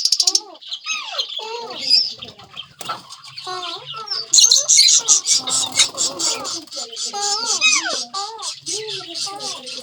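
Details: Talking Indian ringneck parakeets, several birds together, produce a run of bent, word-like phrases rising and falling in pitch over a bed of busy scratchy chatter and brief squeaks.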